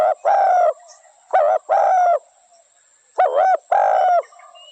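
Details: Spotted dove repeats its phrase: a brief wavering note, then a longer steady husky coo, in two pairs separated by a short silence.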